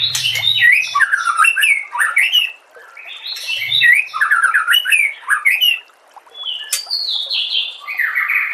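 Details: Compiled White-rumped shama training song: two long, flowing bursts of loud, varied whistles and chatter, each preceded by a short low thump, then a final passage of descending whistled notes.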